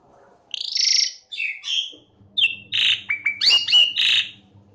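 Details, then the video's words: Jalak suren, the Asian pied starling, recorded to train and lure others of its kind: a buzzy, harsh phrase and short whistles, then a jumble of sharp downslurred whistles and raspy notes over a faint low hum. "MASTERAN SUARA BURUNG JALAK SUREN GACOR | GRACUPICACONTRA | ASIAN PIED STARLING SOUNDS"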